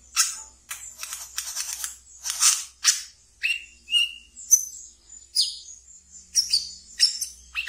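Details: Caged wiceh in ngeriwik song, played to train brown-throated sunbirds: harsh buzzy bursts open the phrase, then give way to high chirps and short whistled notes in quick succession.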